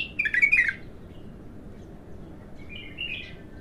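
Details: Bulbul, untrained, opening its song for the first time: a quick bubbling cluster of warbled notes at the start, silence, then a soft rising warble near the end, with a faint background hum.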